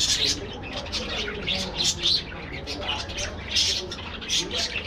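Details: Budgerigars in a colony aviary: dense overlapping chirps and warbling squeaks from many birds, with bursts of busier calling around one, two and three and a half seconds, over a faint low background hum.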